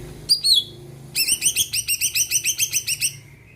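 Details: Singing Greater green leafbird, meant to stir other birds into song: two quick upslurred whistles, then a brisk run of about sixteen evenly spaced bright, chattering notes.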